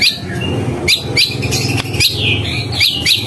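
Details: White-rumped shama in gacor song giving short, bright upswept chirps roughly every half second, each a quick rising whistle, over a low droning background.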